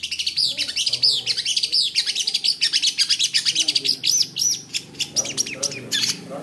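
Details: A long-tailed shrike in full competition-style song gives a dense, nonstop run of sharp, high chirps and quick slurred notes, several each second, rich in mimicked phrases.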